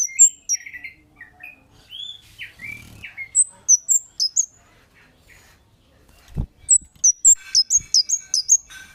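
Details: Kemade bird giving 'cit' lure calls to draw responses from other birds: sharp high chirps alongside lower warbling notes early on, a soft knock, then a dense rapid string of shrill chirps.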